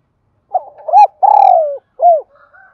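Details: Decoy spotted dove cooing to provoke wild birds in daily training: quick soft lead-in notes, a loud arched coo, a long wavering note that slides down, then a final rounded coo, with faint notes trailing after.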